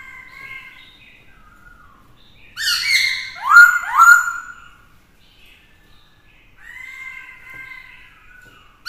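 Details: Black-throated laughingthrush singing to challenge rivals while a female excites it: soft opening notes, then loud harsh swooping whistles at mid-clip, quieter level whistled phrases and brief silences.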